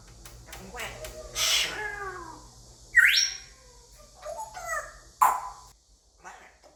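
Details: Pet male African grey parrot, five years old, attempting English indoors: a long descending whistled glide, then a sharp rising whistle and a few short clipped notes, with a person's voice nearby.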